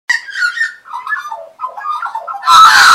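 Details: Wild Australian magpies, regular visitors perching on a person's arm and knee in 2015, serenade with a rich warbling carol of gliding, slurred notes. It ends in a sudden loud, harsh, noisy burst.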